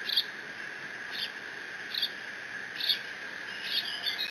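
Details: Lone bald eagle eaglet at Decorah, 30 June 2017, mantling a delivered fish; high, shrill squee notes repeat roughly every second, the last ones slightly drawn out, over a continuous electrical hum.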